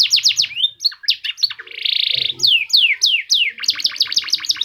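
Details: F1 canary with distinctive song phrasing, played so other canaries join in. Quick chirps alternate with a harsh buzzy burst, then slow descending whistles and a fast finishing trill.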